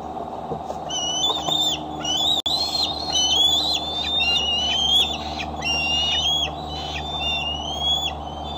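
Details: Eagles at the Decorah nest, filmed by a nest camera on an evening in July as an eaglet with a tender foot returns home: thin, high whistled chirps in quick repeated series over a steady low hum.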